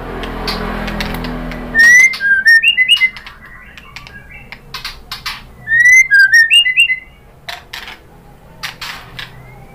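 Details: White-rumped shama song played to stir other shamas into singing: two clear phrases of rising, bright whistles with quick clicks, separated by quieter pauses and a low hum at the start.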